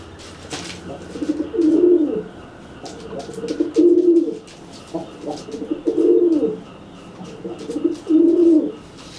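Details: Dry pigeon cooing repeatedly at a wet pigeon that cannot fly after bathing; four loud low burbling phrases about every two seconds, with sharp clicks and taps in a small room.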